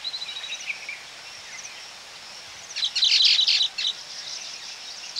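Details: Close-up Baya weaver calls at a colony: faint high twitters at first, then a loud burst of rapid, sharp chattering notes for about a second before the calls fade.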